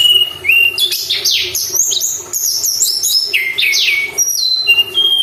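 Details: Nonstop Sunda robin song recorded as a training lure for caged birds: clear level whistles mixed with fast downward-sweeping notes and bursts of high trills, dense and unbroken throughout.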